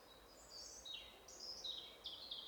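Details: European robin singing in a forest in spring during the breeding season, marking its territory, with two robins answering each other, one near and one farther off; high, thin, flute-like notes with descending slides and quick trills over faint background hiss.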